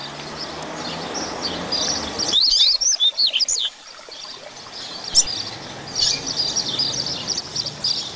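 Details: Double-collared seedeater giving the Grego song style, used to fire up and teach other caged birds. A rapid, high twittering phrase of sharp up-and-down notes follows background noise, then fainter, scattered high notes continue to the end.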